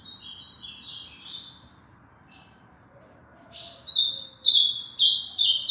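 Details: Ultramarine grosbeak, a tournament bird from Aracaju, Sergipe, Brazil: high whistled warbling phrases, a short opening phrase then a louder sustained run of sliding notes after a pause, over a low steady background hum.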